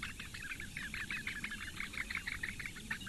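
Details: Begging from four Eurasian bittern chicks fed by their mother in a Latvian reedbed nest at Lake Engure, May 2017 morning. Quick rasping chirps tumble out in a continuous, slightly uneven stream.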